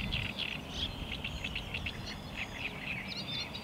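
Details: Eurasian reed warbler song recorded 24 May 2021 at Lake Czerniakowskie: fast, close chattering of scratchy, clipped notes in quick succession, fairly loud against a soft background hum.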